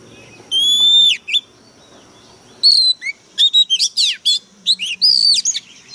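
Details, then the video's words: White-rumped shama, a caged fighting bird in a Vietnamese recording, singing loudly: a long pure whistle, then after a pause a rapid run of sharp, strongly frequency-swept whistled notes and trills. "Chòe than mồi căng lửa bắn giọng cực gắt"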